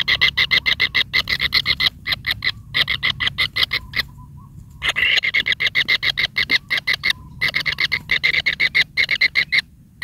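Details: Young kingfisher begging as its mother feeds it large rats in succession; fast bursts of rasping, repeated notes broken by short silences, with a faint low hum beneath.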